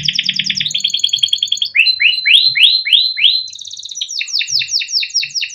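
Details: Captive young male canary singing a long rolling song meant for tutoring young birds: fast high trills, a run of repeated downslurred whistled notes about five per second, a quick buzzy trill, then rising swept notes, clean and loud throughout.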